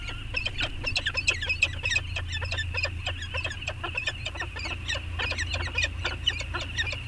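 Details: Peregrine falcons bonding on Anacapa in mid-August 2021, recorded by a fixed camera: a dense run of rapid, grating chup-like notes, several overlapping, above a steady deep background rumble.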